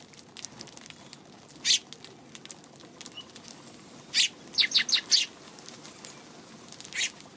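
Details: Eurasian tree sparrow on March 2: scattered short, harsh chirps, a single one near two seconds, then a tight cluster of four or five around four to five seconds, and one more near the end, over quiet background hiss.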